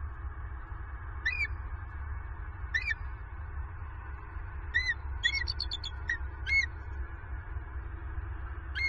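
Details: Wild bald eagle pair at their Southwest Florida nest on 28 November 2022, giving alarm vocals after an owl knocked the female off her perch. Thin, high chirping notes, at first spaced and single, then a rapid stuttering run, over a steady low rumble.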